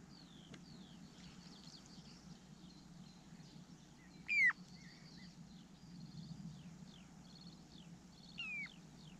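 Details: Little ringed plover (Charadrius dubius): faint high twittering throughout, broken by two loud, clear whistles that drop sharply in pitch, about four seconds apart, over a steady low background hum.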